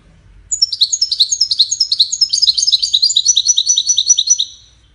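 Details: European goldfinch singing: a bright, fast run of high twittering notes, many repeated about two or three times a second, sliding down slightly in pitch across four seconds over a quiet background.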